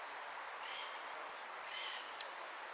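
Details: European goldfinch entered in a singing contest on 03 02 13, "Amarillo de Repique" category, giving a few clear, very high whistles and sharp falling slurs in pairs, separated by short pauses, against a faint hiss.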